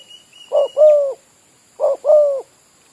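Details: Two low coos from a spotted dove kept as a trapping decoy near oil palms, each a brief note followed by a longer level one with a downturned tail, with a thin whistle at the start.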